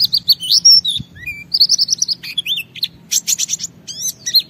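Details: Energetic white-eye singing, played so that other white-eyes respond and show their full repertoire. Loud, bright, warbled phrases mix steady high whistles, a lower rising note, rapid chattering clusters and a final burst of sweeping slurred notes.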